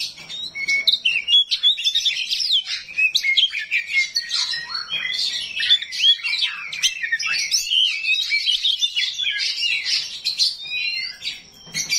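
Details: Oriental magpie-robin of the 'rawit' kind singing rough 'isian kasar' fill-ins to provoke other magpie-robins into answering: a continuous torrent of sharp whistles, rapid trills and grating chips, loud and varied throughout.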